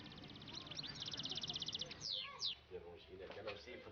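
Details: A caged European goldfinch, 15 years old and described as a very good singer, in Annaba, trying to call the female: a fast run of high, bright repeated notes, then a few quick sweeping chirps, with a man talking throughout.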